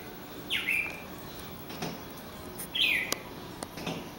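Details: Male bird singing by a glass door, apparently at its own reflection; two sharp downslurred chirps about two seconds apart over a steady background hiss.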